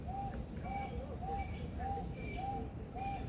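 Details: Superb Lyrebird, a captive male in an Australian rainforest aviary at Adelaide Zoo, repeats clear arched whistled notes about every half second, with thin higher whistles between them, against low rumbling noise.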